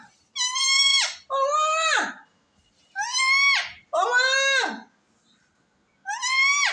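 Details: Talking parrot with its owner, uttering five loud, harsh, speech-like syllables in two pairs and a single, each bending downward at the close, with quiet gaps between.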